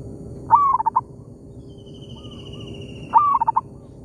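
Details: Zebra dove in an oil palm plantation trading calls with a decoy: two bright phrases of a rising opening note then rapid broken coos, a softer coo and a faint drawn-out whistle in between, low rumbling background.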